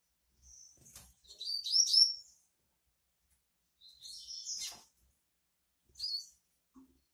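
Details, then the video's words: A female double-collared seedeater sings 'tui tui' while soliciting mating: three short bursts of high, sharp chirping notes a couple of seconds apart in an otherwise quiet room. "FÊMEA DE COLEIRO CANTANDO TUI TUI E PEDINDO GALA"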